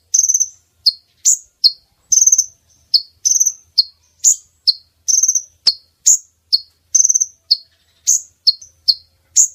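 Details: Female brown-throated sunbird lure call for drawing in males to trap. A steady stream of piercing chips and short rattled trills repeats every half second or so throughout, with one click partway through.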